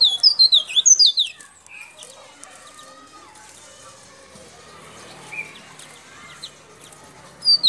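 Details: Local white-breasted white-eye from Baubau, Buton, Sulawesi, used as a lure for wild white-eyes: a rapid burst of high, thin, descending twittering notes in the first second, then quiet background with faint chirps and a short burst at the end.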